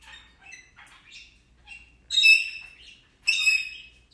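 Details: Talking pet Indian ringneck parakeet: soft scattered murmured syllables, then two louder, ringing, harmonic squawk-like phrases about a second apart in a quiet room.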